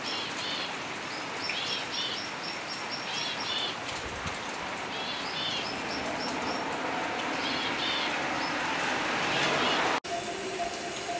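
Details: Elegant tit, a bird endemic to the Philippines, giving bursts of high, thin, sharp notes in quick clustered series, pausing between groups, over steady heavy rain noise throughout.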